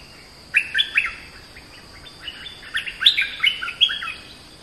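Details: Oriental magpie-robin singing: bright whistled phrases of short, sliding notes, loud bursts near the start and again in the second half, separated by a brief quieter gap, over a faint steady high hiss.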